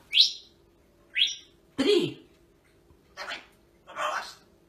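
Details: A pet parrot chatting with its owner, who counts aloud in Russian, gives short, high, squeaky chirps about one a second, mixed with a few lower, rougher voice-like sounds.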